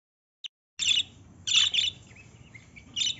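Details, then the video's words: Lovebird calling: after a tiny click, three bursts of shrill, harsh, high chirps, the middle burst longest, with faint thin notes between them over a low background hum. "Love birds sound"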